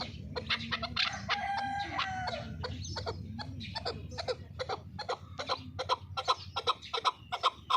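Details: Qubodiyon fighting chukar from Tajikistan, opening with a few drawn-out harsh notes and then breaking into fast, sharp clucking, roughly two to three per second, that becomes louder and more punchy through the end.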